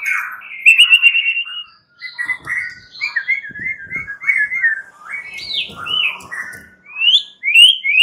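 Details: Caged fighter white-rumped shama males singing back to each other, excited and agitated; varied run of fluty whistles, quick warbled trills and rising slurred notes with short pauses, faint clicks and knocks underneath.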